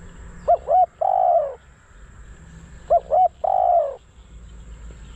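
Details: Decoy spotted dove used for luring wild doves: two short looping hoots followed by a drawn-out hoarse coo, repeated twice about two and a half seconds apart, with quiet low rumble behind.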